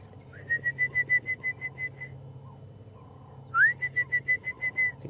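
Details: Orange-breasted Bush-shrike in South African lowveld at Djuma/Arathusa, afternoon of 11 November 2014, near hippos, with distant turtle dove and francolins: two runs of about ten clear, evenly spaced whistles, the second opening with a rising slur, over engine hum.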